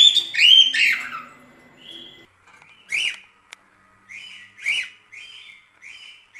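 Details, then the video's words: Cockatiels singing: a busy opening of tangled whistles and squawks, then spaced, short upward-swept whistled notes roughly every half second to second, separated by near silence. "Calopsitas Cantando Muito"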